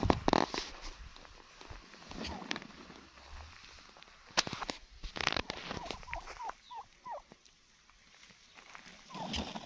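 Wild turkeys give short, clipped mid-pitched notes in a loose string, with a few sharp bursts and rustling noise between them.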